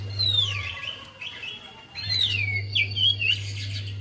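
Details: Javan white-eye song for prompting a reluctant singer: two loud phrases of high, sweeping whistles sliding downward into warbled notes, over a faint steady hum.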